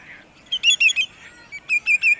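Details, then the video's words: Sandpiper song at sunset, Montezuma, New York, 6 May 2019, with waterfowl nearby: two quick bursts of three or four loud, piping whistled notes separated by a short gap, close and clear. "Sandpipers Serenade the Sunset"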